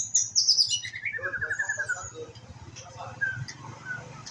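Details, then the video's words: Young white-rumped shama learning to sing: a quick cascade of chirpy, twittering notes sliding from high to middle pitch over the first two seconds, then softer scattered notes, over a steady low hum. "murai batu pastol belajar bunyi"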